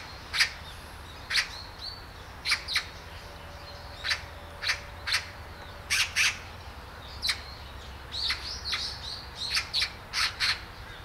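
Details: Great spotted woodpecker in Hanbam Village, Daeyul-ri, Bugye, Gunwi, North Gyeongsang, South Korea: sharp, short kik notes repeated irregularly, some doubled, roughly one per second, with faint thin whistles from other birds and steady low hum.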